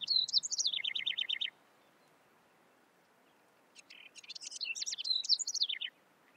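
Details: Two bubbly songs of a house wren: a short phrase of squeaky high notes dropping into a rapid trill, then after a pause a longer, more jumbled rising chatter ending in a falling series of quick notes.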